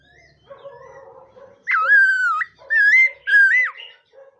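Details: ['Laughingthrush training its voice in the morning, singing to provoke other birds. Three long, loud, ringing whistled phrases, mostly level with upturned ends, over a low buzzing background hum.']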